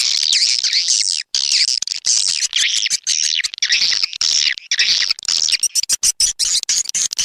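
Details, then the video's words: Swiftlet lure sound SP Anak Gembala, Indonesian in origin and used outdoors at swiftlet houses in Sóc Trăng and Đắk Nông: long stretches of dense high chirping, twittering and buzzy notes with occasional clicks. "Âm thanh nhà yến Sóc Trăng, Đắk Nông - SP Anak Gembala"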